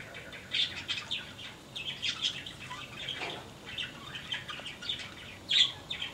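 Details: Caged yellow-crowned parakeet calling in an aviary, giving quick high chirps and chattering bursts with brief gaps, one loud sharp note near the end, and possible soft wing flutters.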